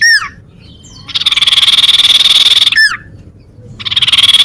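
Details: Sunbird song used to lure birds and prompt rivals to sing: loud, rapid buzzy trills held near one pitch for over a second, broken by sharp downward-sweeping whistled notes.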